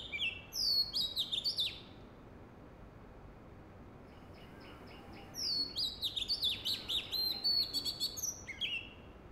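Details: Oriental magpie-robin calling spiritedly in the Sundarbans mangrove forest while rhesus macaques play in a tree nearby: two lively bursts of varied, clear whistled notes rising and falling quickly over a steady hiss.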